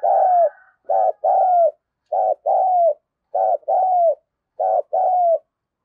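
A spotted dove gives low, hollow two-part coos, a short note then a longer falling one, repeated about once a second with no other sounds.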